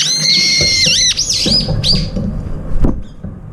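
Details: Brown-eared bulbuls competing for food as a group eats; a long, piercing, shrill screech bends down in repeated swoops, then trails off into a thin sustained note with a click near the end.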